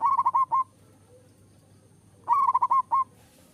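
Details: Champion zebra dove singing in the manggung style: two phrases of rapid stuttering cooing notes followed by a single spaced coo, with a quiet pause between phrases.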